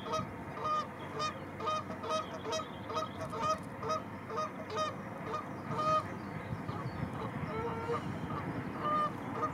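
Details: Arctic geese in a large group with chicks, among millions of white flowers; steady series of short nasal honks roughly every half second, with faint high calls from other birds above a constant low hum.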